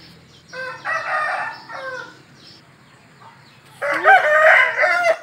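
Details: Rooster crowing: a moderately loud harsh crow, then after a pause a louder, closer crow with a rough, wavering tone, over a low background hum.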